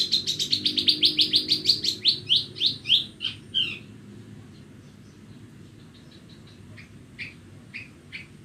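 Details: Horsfield's bush lark, Borneo, singing on a bright morning: a rapid rattling series of chirps that slows and drops in pitch, followed by quiet with a few soft distant notes.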